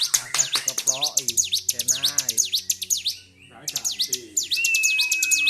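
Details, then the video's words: Highly agitated Bar-winged prinia, 26 February 2023, singing continuously without stopping: quick strings of high, sharp downward-and-upward chirps, a brief pause, then more, with soft murmuring sounds and a thin steady whistle near the end. "CIBLEK GACOR || PANCING EMOSI BURUNG CIBLEK"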